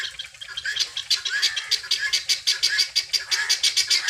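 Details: Free-range helmeted guineafowl searching for feed give harsh, rasping, high-pitched chattering notes, about four or five a second, with several birds overlapping.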